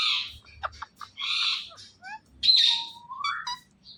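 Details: Natural chatter from an Indian ringneck parakeet: harsh squawks mixed with short clicks, quick whistled notes and a drawn-out rising nasal call near the end.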